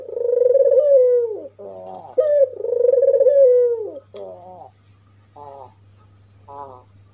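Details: Albino white African collared dove with red eyes, calling to provoke other doves: two long trilled coos with gravelly stuttering notes between them, then quieter short raspy bursts trailing off.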